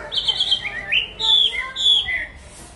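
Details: A hwamei sings a few bright whistled phrases, high clear notes alternating with lower slurred ones in short bursts.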